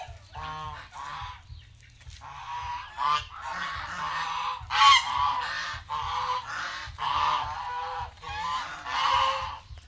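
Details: Farmed geese in Asia honking in bursts, loud brassy nasal calls about once a second, several birds overlapping, over a steady low hum.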